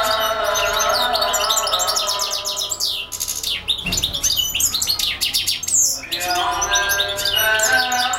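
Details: Continuous European goldfinch song from a bird that sings nonstop for hours: a dense, tinkling twitter with buzzy rattles and fast ascending notes, broken by brief dips, over a faint hum of sustained lower tones.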